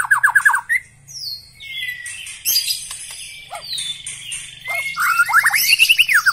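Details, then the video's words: White-rumped shama, black-legged type, singing a varied song: a quick run of repeated downslurred whistles, then long gliding whistles, buzzy high notes and clicks, ending in bright rising and falling whistled phrases. "Ciri khas gaya dan Suara murai Batu kaki hitam istimewa"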